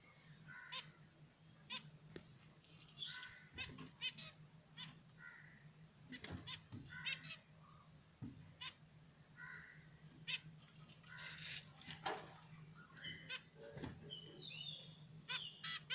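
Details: Budgerigars, recorded alongside their eggs, give a run of high, scratchy chirps and warbled chatter with sharp clicks and rustling.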